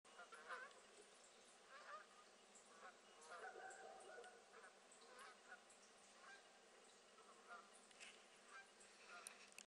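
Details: Wild geese flying over Kelmis, Eastern Belgium, on 5 September 2016 at 20:40 in the evening: distant, repeated nasal honks scattered through the passage, over a steady background hiss.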